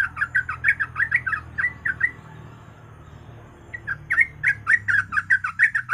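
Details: Yellow-vented bulbul singing in rapid ropel style, played to prompt other birds to sing: quick chattering, warbled notes repeated about three times a second, a gap of well over a second, then more bubbling phrases over steady low background noise.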